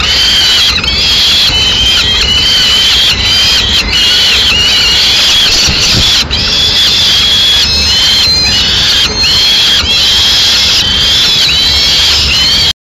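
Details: At a peregrine falcon nest in Madrid, Spain, on 9 May 2016, the female comes in with prey for her chicks: loud, repeated, long wailing squeals with wavering pitch, broken by short gaps and occasional clicks.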